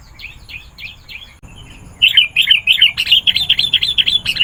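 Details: A sooty-headed bulbul lure recording for drawing in wild bulbuls: a few soft chirps, then a fast, continuous string of bright, bubbling chattering notes that runs to the end.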